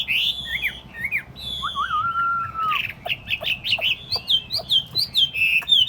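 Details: Tame Chinese hwamei in a cage on a table, singing loud slurred whistles and a wavering trill, then a rhythmic series of rising and falling whistled notes repeated about twice a second.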